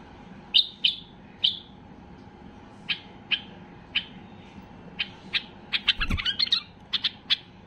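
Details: An agitated white-eared bulbul sings to set silent bulbuls singing. Loud chirps come in slow pairs, some seconds apart, then thicken into a busy run of notes; one low thump partway.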